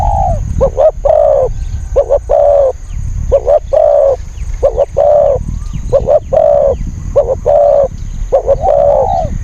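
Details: Cooing of a spotted dove kept as a decoy to draw in wild birds: a steady run of phrases, each two quick coos and a longer purring note, with low rumble underneath.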